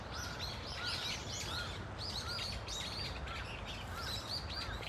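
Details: Several Brown-eared Bulbuls in a flock in a Korean city park trade sharp, bending squeals and short chirps in quick bursts, with low rumbling noise underneath.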